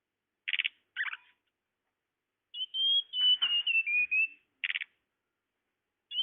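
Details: Tledekan bird call used as a lure to attract birds: short buzzy chattering bursts, then a run of clear high whistled notes that waver and step down in pitch, ending with another buzzy burst and whistle.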